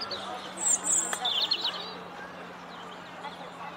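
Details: A European robin in full song on a corkscrew hazel bush in a flower walk gives a short burst of very high, thin song, a tinkling twitter then a quick warbled phrase, before falling quiet over a low steady hum.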